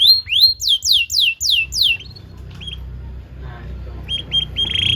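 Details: Canary song used as a training recording for young canaries: a run of loud, falling whistled notes repeated about five times a second, a short pause, then brief high clipped notes and a few repeated upward chirps over faint low hum.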